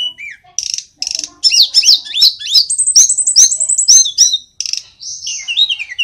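A little pied flycatcher sings a fast, high, twittering song of sweet, rising and falling notes with brief pauses between bursts.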